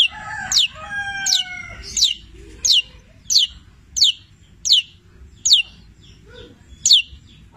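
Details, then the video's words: Long-tailed shrike, 'petir' type, with song full of borrowed labet and canary phrases: opening with a few steady tones, then a series of sharp, high downslurred whistles spaced under a second apart. "Masteran Cendet Petir gacor, Full isian mewah Labet dan kenari Tonjolan Cililin"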